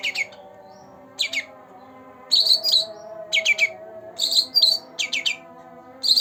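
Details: Green leafbird, two months old, singing in short bursts separated by pauses: paired sharp chirps alternate with higher whistled notes, each burst under half a second, over a steady background hum.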